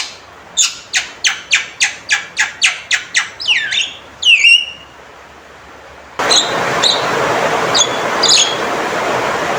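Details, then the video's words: Loud, clear calls of a male Javan myna: a rapid series of about ten sharp clicking notes, then bent whistled upslurs; afterwards a hissing background noise with faint short calls. "Panggilan Suara Burung Jalak Kebo Jantan Gacor & Lantang"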